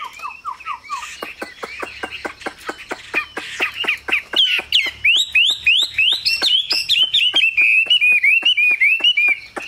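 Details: Chinese hwamei cage bird: a brief low whistled trill, then a fast train of dry ticking notes. Rising and falling whistles build over the ticks, growing louder and more continuous toward the end.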